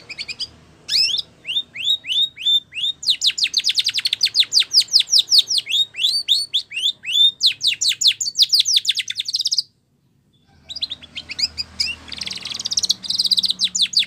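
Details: Training song of a Spanish Timbrado canary, rapid chains of high, falling metallic notes building into fast rolling trills, a brief silence near ten seconds, then a softer burst of busy, buzzy chatter.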